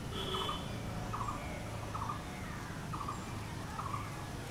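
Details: Blue-throated barbet calling: five short, throaty, trilled notes at mid pitch, evenly repeated a little under once a second, over steady low background hum with a faint higher whistle at the start.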